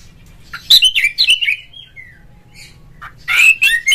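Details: Captive oriental magpie-robin singing to start other magpie-robins: quick descending whistled phrase ending in a long slurred note, a pause, then a loud scratchy burst with whistles.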